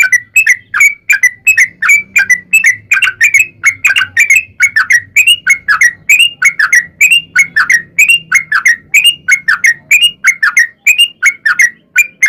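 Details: Sooty-headed bulbul song meant as a lure to set other bulbuls singing, long 'ropel panjang' style: a steady torrent of short, rising-and-falling bubbly notes, with a faint low rumble underneath.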